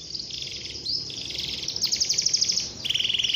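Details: Canary singing to lure young canaries into singing, a long continuous song: fast rattling trills at high pitch that switch between higher and lower bursts, some notes rapidly repeated with no pause, then a dry buzzy trill at the end.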